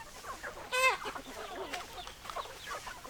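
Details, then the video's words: Chickens in a flock: one loud, clear, harmonic squawk early on stands out over low continuous clucking from other hens. "Chicken Sounds Noises Hens Clucking Roosters Crowing"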